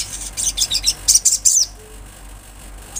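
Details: Olive-backed sunbird singing busily in the wild: a quick, uneven string of high, bright, twittering notes for about a second and a half, then quiet with one faint final chip.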